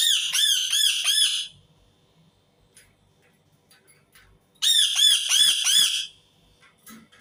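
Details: Two bursts of rapid, grating screams from an Indian ringneck parakeet, each a string of four or five harsh, arched squawks, separated by a few seconds of near silence.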